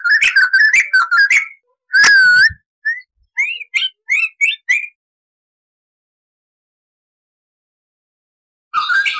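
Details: Crested laughingthrush song for tutoring cage birds: quick chattering whistles, a loud looping note, a string of short rising whistles, then silence and a final burst.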